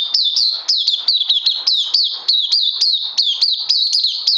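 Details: Steady, fast outpouring of shrill, down-slurred chirps from an oriental white-eye recorded 31 May 2020, continuing evenly throughout.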